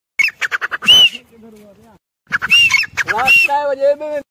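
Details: A Grey francolin (Ortygornis pondicerianus) gives loud, harsh, rapidly repeated high notes in two bursts, each followed by softer, lower drawn-out notes.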